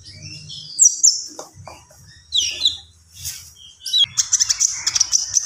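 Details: A common iora gives lively song with scattered sweeping whistles that dip and rise, sparse quieter gaps, then a fast, dense burst of high chattering notes to close.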